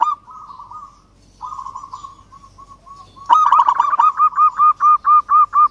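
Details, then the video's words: Local zebra dove in full song, calling out to a rival: faint wavering mid-pitched notes at first, then loud rounded arched coos repeated about twice a second, evenly spaced and clear. "Perkutut Lokal GACOR Suara Ampuh MEMANGGIL Lawan Langsung BUNYI Emosi MANGGUNGG"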